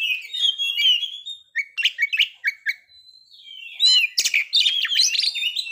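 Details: White-rumped shama singing as a trigger for breeding condition and aggression: sweet whistled phrases, a short lull with a thin steady note, then a loud burst of rapid warbles and chips.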